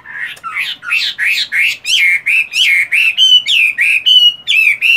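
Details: Chinese hwamei kept in a cage, still trained to sing while moulting, pouring out a steady run of bright, bending whistled notes at roughly three per second, each looping up then dropping.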